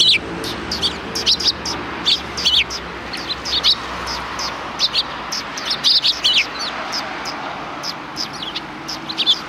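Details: Several sparrows by the road approaching a Tenmangu shrine, Japan, 13 December 2019, give bright, sharp chirps in quick irregular clusters throughout, with a faint background rumble.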